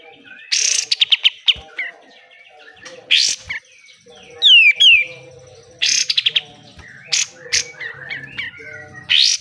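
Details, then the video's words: Pied triller singing a besetan phrase for training caged birds: short bursts of rapid clicky notes, a sharp descending whistled slur, and chattering trills spaced a few seconds apart, with faint low background hum. "DAHSYAT sekali BESETAN KATEM, kapas tembak gacor, BUNYI KAPAS TEMBAK"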